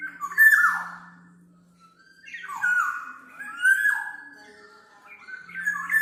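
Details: Black-naped oriole singing, a recording meant as a tutor or lure: fluty descending whistled notes in three bursts with a quiet gap, plus a steady low hum at times.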